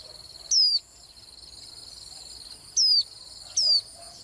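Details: Swinhoe's white-eye uttering high, downward-sliding whistled notes. One is followed by a gap of two seconds, then two come in quicker succession, over a persistent shrill hum.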